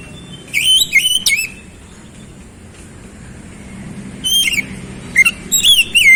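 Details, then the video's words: Kacer, the oriental magpie-robin, singing fast gacor phrases: short clusters of sharp, slurred whistles at the start, a quiet gap, then several softer wavering notes toward the end. "KICAUAN KEMBALIKAN KACER MACET BUNYI CEPAT GACOR"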